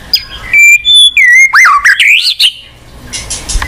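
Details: White-rumped shama, a popular caged songbird, singing to spur a quiet bird: clear level whistles rising in steps, then a fast wavering trilled phrase, ending in faint noise.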